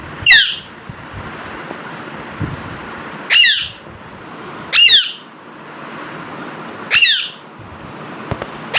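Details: In front of a mirror indoors, an Alexandrine parakeet gives five loud, raspy squawks at irregular intervals of one and a half to three seconds, each a short harsh burst with a whistled kink, over low hiss.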